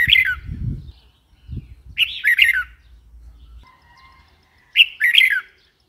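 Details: Red-whiskered bulbul phrases of fast, slurred whistled notes, repeated three times, mixed with low rumbling handling or thumping noises and a faint steady tone.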